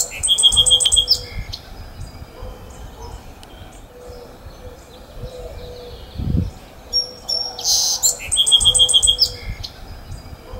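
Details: A singing sparrow on Aptos Creek gives two bright bursts of quick, evenly repeated notes with a buzzy close, about seven seconds apart, over a low rush of the creek's running water.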